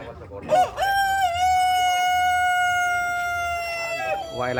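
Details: A long, piercing rooster crow, compared to a cricket's sharp night rhythm, rises briefly then holds one bright, steady pitch for over three seconds before dropping into a clucking tail.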